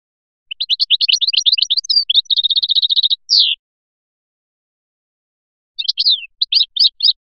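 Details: ['European goldfinch of Biskra singing Filyashi: a long tumbling twitter leading into a fast, even rattle of repeated notes and a falling slur, then after a pause a few separate bright chirps.']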